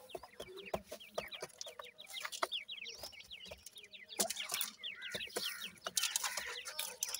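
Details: Francolin chicks of the Dakhni teetar kind call in a busy chorus of thin, falling peeps, with frequent clacks and a rustling burst midway.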